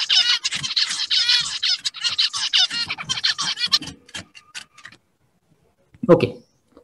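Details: A male zebra finch, on seeing a female, sings a rapid run of buzzy, nasal, harmonic syllables while dancing, courting her.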